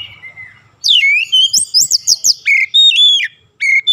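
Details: Oriental magpie-robin in song for daily long-roll (ngeroll) training: faint whistles, then a rapid series of about eight loud looping whistled notes, followed by clear sliding whistles and one last short phrase.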